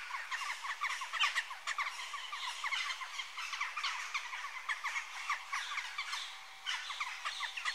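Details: Western jackdaw calls run on continuously, a crowded chorus of clipped, squeaky notes from many birds at once. The level stays fairly even, with brief louder calls scattered throughout and a short lull before the seventh second.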